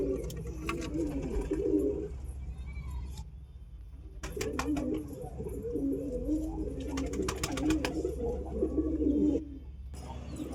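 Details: Low, rolling pigeon coos repeated in a burbling series, broken by two brief silent gaps and scattered clicks and taps.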